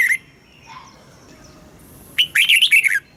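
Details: Red-whiskered bulbul kept in a cage, morning song used for training: a brief chirp, a quiet gap, then one rich burst of rapid, looping whistled notes lasting under a second.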